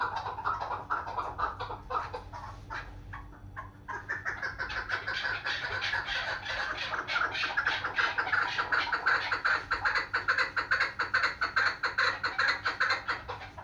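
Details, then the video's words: Female chukar kept as a local hunting bird, giving rapid runs of short clucking chuk notes, several per second, building into a dense steady chatter after a few quieter opening notes, with faint indoor room noise. "دیسی شکاری مادی چکور کی اواز deseshikari madi chakor"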